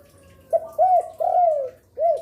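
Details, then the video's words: Lure spotted dove that calls from afternoon into night: a complete low phrase of a short note, a rounded arched coo, a long gently falling coo and a closing arched note. "Derkuku gacor rajin bunyi siang sore malam cocok untuk pancingan"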